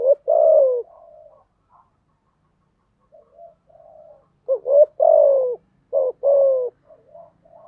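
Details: Spotted dove song meant to train freshly caught doves: a loud falling coo, soft murmured notes and a gap, then a burst of rising and falling throaty coos in quick succession, quiet surroundings.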